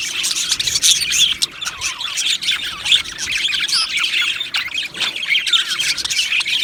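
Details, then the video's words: Australian budgerigar colony in an aviary, loud squawking and chirping chatter of many birds, rough high notes and warbles running together without pause. "Beautiful Budgies Singing and Chirping Sounds"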